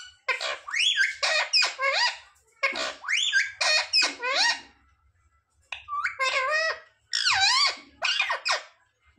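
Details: Pet parrot, called mitthu or tota, indoors, talking and mimicking words such as "mummy papa": several loud bursts of harmonic, wavering speech-like syllables with rising and falling inflections, separated by short pauses, in a quiet small room.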